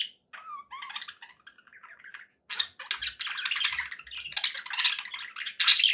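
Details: Budgerigar calls meant as company for pet parakeets: scattered soft chirps and a brief pause, then dense, scratchy warbling that builds and grows louder toward the end.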